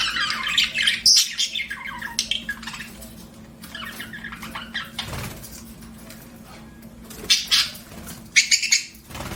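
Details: Chirping pet budgerigars: rapid harsh chatter and squawky notes at the start, a quieter stretch in the middle, then renewed loud scratchy bursts near the end over a faint steady hum.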